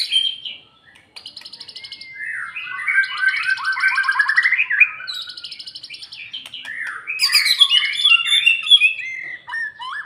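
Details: White-rumped shama after moult, in song meant to raise its fighting spirit. Rapid buzzy trills alternate with rich, descending whistled phrases and quick, bright, varied warbling. The recording is clean and quiet.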